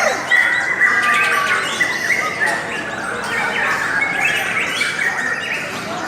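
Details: Lovebird chorus, its sound called beautiful and long: rapid overlapping chirps, squeaks and brief whistles, roughly three per second, run without pause from a group of birds.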